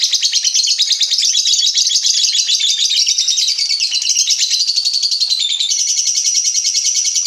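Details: Ngekek call of pet lovebirds: a continuous, very high, rapid chattering trill that runs unbroken for seven seconds, shifting slightly in pitch near the end.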